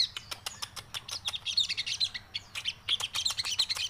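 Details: Javan cochoa, known locally as sogon crewet, singing a dense chattering song of rapid high chirps and short whistled notes, bursts repeated several times a second with brief pauses between phrases.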